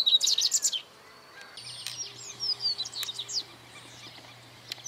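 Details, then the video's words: Double-collared seedeater recorded in 2018 giving a quick burst of high, sharp chirped notes, then fainter twittering, over a steady low mechanical hum. "Cantos Corbatita común Sporophila caerulescens"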